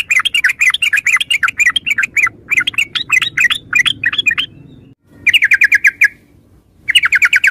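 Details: Yellow-vented bulbul delivering long runs of quick, lively chattered notes, broken by short pauses, then two fast rattling bursts.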